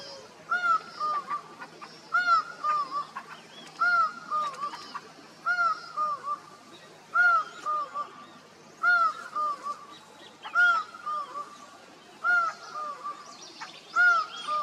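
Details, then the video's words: Laughing falcon in Costa Rica calling to others: loud, nasal, hooting two-part notes repeated steadily about every second and a half, over a faint hiss of insects. "laughing falcon calling others"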